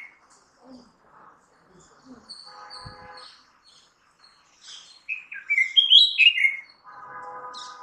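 A red-whiskered bulbul gives a loud, quick burst of liquid, bubbling whistles that rise and fall over about two seconds, with soft chirps and nasal, buzzy tones around it.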